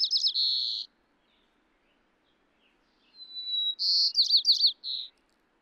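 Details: White-crowned Sparrow song, recorded in Florida with plane noise filtered out: a thin, clear whistle, then quick slurred notes and a dry buzzy trill at the end. The background is nearly silent.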